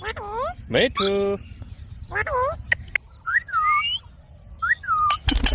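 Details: Indian ringneck parakeet uttering a few voice-like phrases with curved, rising whistled notes and one buzzy tone, followed by sliding whistles that rise then drop, separated by short quiet gaps.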